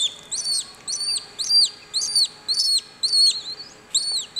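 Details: At WWT Slimbridge, a clutch of West Indian (Cuban) whistling duck chicks calls from the eggs while hatching, likely to synchronise hatching. The calls are high, thin, rising-falling peeps about twice a second in uneven bursts over a faint hum.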